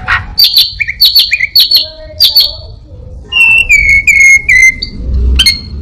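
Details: Orange-headed thrush copying other birds and a cat: doubled high chips alternating with lower squeaks, then a string of clear falling whistles and a final sharp note. A low rumble sits underneath.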